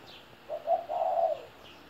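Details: A 17-year-old spotted dove delivers a single coo: two quick introductory notes leading into a sustained, slightly quavering coo; faint high chirps behind.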